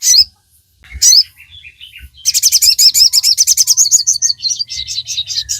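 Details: Sogon, the Crimson Sunbird, singing vigorously for training captive birds: a few high sweeping chirps, then a long fast trill of shrill, evenly spaced notes running to the end.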